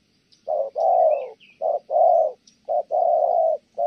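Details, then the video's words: Low, full coos from a spotted dove recorded in Kon Tum in thổ âm style, short and long notes alternating in pairs; a faint thin chirping sound between the first phrases. "Thổ Âm Tốt, đang gù ngon thì mái phá đám"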